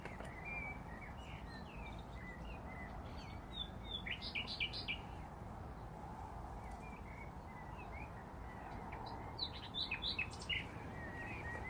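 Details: Nightingales singing at Braziers Meadow, Orwell Country Park: varied phrases of whistled upslurs, chirps and high sharp notes in bursts, with pauses between, over a continuous low background hiss.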